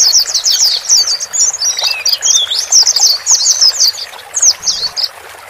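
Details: White-eyes, male and female, recorded to coax a freshly bought bird into settling in its own cage; rapid clusters of high, thin twittering notes, pausing briefly near the end.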